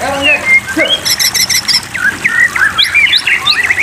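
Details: White-rumped shama in a water-therapy track meant to stimulate caged birds to sing: rich whistled phrases, a short bout of rapid chattering high notes, then quick rising and falling whistles tumbling together over a soft water hiss.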